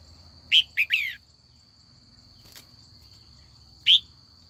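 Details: In afternoon training, a female red-whiskered bulbul calls to draw older wild-caught males into a song contest: a quick cluster of three clear slurred notes, then one lone sharp note, with a constant thin high tone behind.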